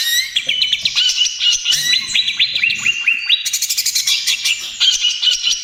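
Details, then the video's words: Greater green leafbird, a lively singing bird used as a lure and therapy for other birds: rich, varied song of whistled slurs and sharp rising notes, switching to fast high repeated trills. "SUARA CUCAK IJO TROTOL GACOR, AMPUH UNTUK PANCINGAN DAN TERAPI"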